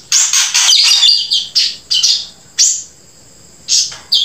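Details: Grey-breasted prinia in gacor song, joined with siri-siri: dense, scratchy high chatter at first, then spaced sharp chirps roughly every second, with a few squawk-like notes.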